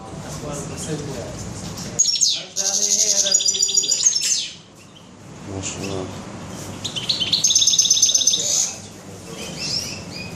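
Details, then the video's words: European goldfinch in a bird shop, 21 June 2015: two bursts of rapid, high, sparkling trilled twitters separated by a quieter gap with faint background noise. "تغريد الحسون"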